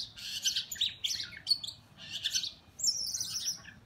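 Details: Oriental magpie-robins in a fight, captured on a mobile phone. Scratchy, high chirps and slurred whistles come in uneven clusters, ending with a long, thin descending whistle.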